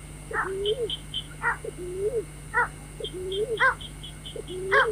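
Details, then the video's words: White-breasted waterhen calls for luring birds at night, with low arching moans alternating with rough harsh notes at roughly one-second spacing. Series of high short chirps run throughout, over a continuous low hum. "tiếng chim vẽ Dung cuốc"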